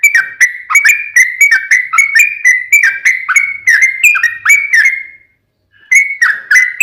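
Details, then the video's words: Sooty-headed bulbul song used to provoke other bulbuls into answering: rapid run of bright whistled notes, each with a quick downward slur, repeated about three times a second, then a short pause and more notes. "KICAU SUARA trucukan gacor TARUNG ROPEL PANJANG"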